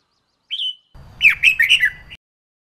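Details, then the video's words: Female red-whiskered bulbul calling to excite males to sing: one drawn-out whistle, then a jumbled run of four or five quick rising and falling warbled notes over a low background rumble. "Chào Mào Mái Kích Trống Không Quýt Qiu \Kích Là Hót"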